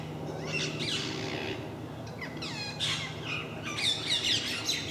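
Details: A group of parakeets regularly visiting MK park, making a racket: overlapping harsh, screeching squawks in bursts high in pitch, with a steady low hum beneath.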